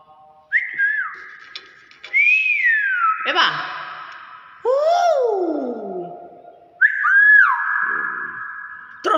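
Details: Common hill myna said to talk, imitating the word "bakpao": a series of loud, clear whistled notes, some rising then sliding down, others steady, in about four bursts spaced a few seconds apart, with a man's voice nearby indoors.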